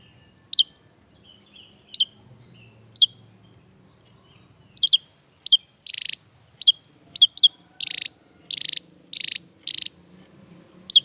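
Javan tesia giving sharp, very high chips, then a quickening run of louder buzzy, rattling notes about every half second.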